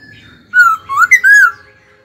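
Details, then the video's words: Pet laughingthrush sings one rich, fluty phrase of three linked whistles, each slurring up and down, lasting about a second in a quiet indoor setting. "Khướu hót cực hay, kích bổi hót ngay"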